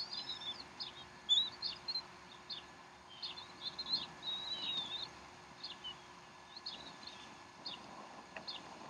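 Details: Bald eagles at the Decorah nest on 12 April 2012, around 3:10 pm Central Time, as the mother feeds her young a snack; high thin chirps and short squeaky notes, scattered irregularly over steady background hiss.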